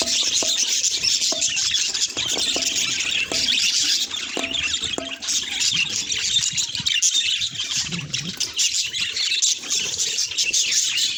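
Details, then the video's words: A group of pet budgerigars producing constant high-pitched twittering and chirping, a steady layered chatter with scattered clicks early on and no music. "Parrot Therapy – Reduce Anxiety With Natural Sound"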